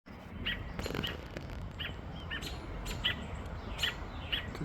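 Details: Robin calling on a sad morning after a crow took its two chicks. Short high chirps repeat roughly every half second to second over a hissing background, with a few faint clicks.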